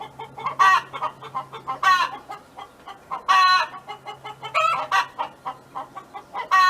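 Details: Singing farm hen next door: loud raspy squawks every second or so between bursts of rapid, soft clucking, with a faint low drone.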